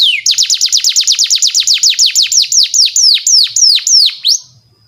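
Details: Canary song used as a lure to train young canaries: a long, fast tour of loud, downward-sweeping whistled notes, about three per second. The notes slow slightly toward the end, then the song stops abruptly.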